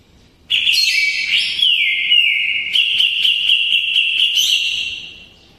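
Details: Greater green leafbird sings a kapas tembak filler song, used to teach the white-rumped shama. A steady, loud, high whistle runs almost unbroken, overlaid with rapid ticking trills and brief buzzy flourishes at the start and end.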